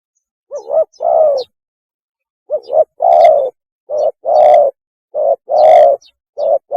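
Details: Spotted dove giving its mating call, played as a lure: about four rhythmic phrases of deep cooing, a short doubled note leading into a long rounded coo, with brief gaps between phrases.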